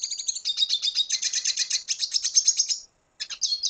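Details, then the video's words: A Venezuelan red siskin delivers a dense, fast run of high twittering and buzzy trilled notes for nearly three seconds, a brief silence, then more chirps. "Canto Cardenalito Venezuela / Spinus cucullata / Carduelis cucullata"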